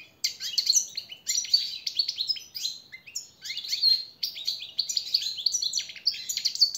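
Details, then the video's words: Energetic European goldfinch song for teaching captive birds, long bursts of fast liquid twittering and buzzy trills in phrases about one to two seconds long, with brief gaps. "jilguero el reclamo maestro y motivador"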